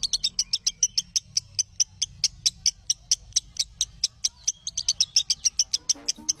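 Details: Lovebird song as tutoring audio for lovebirds: rhythmic sharp high chirps a couple per second, quickening near the end where a few lower notes appear, over soft rumble.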